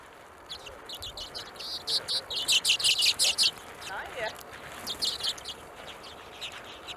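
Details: Hornemann's Arctic redpoll in Greenland, 2017; a series of short, high, buzzy chattering notes repeated in quick succession, rising to a louder run midway, over low background noise.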